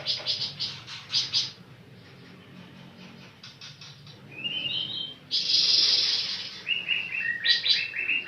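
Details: Pancawarna birds: bursts of short high chirps at the start, then a rising whistled note, a loud, dense, high rasping buzz midway, and repeated falling whistled notes toward the end over a low steady hum.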